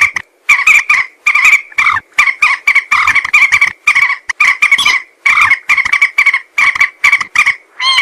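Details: Common moorhen voice used to lure birds for hunting: a near-continuous run of rasping, croaky notes, many short bursts per second with steady harmonic bands and only a few short pauses.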